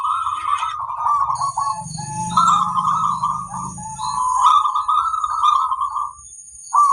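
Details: Local zebra dove song, used as a master recording to train other doves to sing quickly. Rolling, trilled coos in long phrases of about a second each, with a steady high ringing tone throughout and a low hum in the middle.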